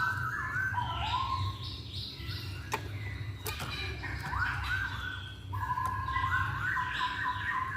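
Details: Masked laughingthrush singing as a lure to provoke other birds; a dense chorus of short rising whistles and level notes in quick runs, with a few sharp clicks.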